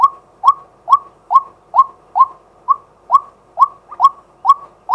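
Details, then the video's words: Male White-breasted waterhen calling by day, recorded live: a regular run of eleven short, hollow, upward-flicking notes, repeated a little over twice per second against a quiet background. "เสียงนกกวัก ตัวผู้ ต่อกลางวัน"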